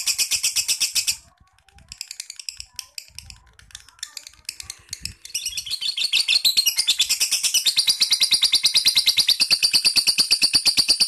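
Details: Lovebird giving rapid pulsed high chatter that breaks off after a second, resumes in scattered bursts, then builds from the sixth second into a loud, sustained trill.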